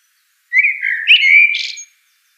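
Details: One continuous common blackbird phrase: a low, mellow whistled warble gliding up and down for over a second, closing with a thin, scratchy high twitter. The background is silent.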